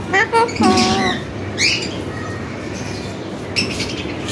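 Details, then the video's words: Tame parrot talking, repeating human words like "motho beta" and "mano": a few short raspy speech-like bursts and a rising squawk, separated by quiet gaps with low room noise. "full talking parrot"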